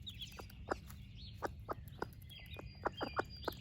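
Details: Broody splash laced red Wyandotte hen sharing breakfast with her baby chicks gives short, low clucks spaced irregularly, several close together near the end, over a steady chorus of high thin chick peeps and a low background hum.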